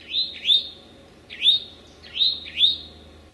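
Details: Late-morning Eastern towhee in a Massachusetts forest on May 25, 2011: quick rising, slurred notes, often doubled, each ending in a sustained thin whistle, sounding several times within three seconds with little else heard.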